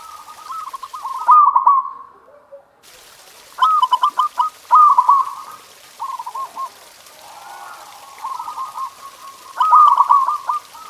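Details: Zebra dove singing a master song meant to get pet doves singing. Repeated staccato trilled coo phrases come in irregular bursts, one brief gap of silence, and a steady mid-pitched rolling quality throughout.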